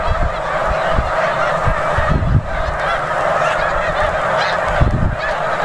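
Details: Huge flock of snow geese at Bombay Hook National Wildlife Refuge, Delaware, USA, on 4 December 2006: a dense, continuous roar of overlapping nasal honks with occasional low thumps.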